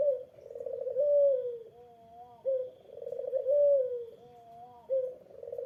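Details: Eurasian collared dove issuing its provoking call toward a rival: mellow, throaty coos in regular cycles, each a vibrating downward glide followed by a steadier, slightly higher note, in a quiet background.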